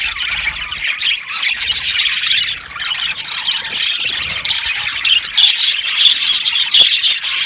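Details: Budgie colony in an aviary: busy warbling chirps from many birds, a brief dip in the chatter midway before the high twittering swells louder again with bright whistled notes.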